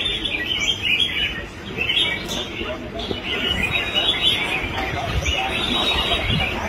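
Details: Red-whiskered bulbul, a kept songbird, giving a steady run of bright, chirpy whistled phrases with hardly a pause, over low background chatter and a faint human voice.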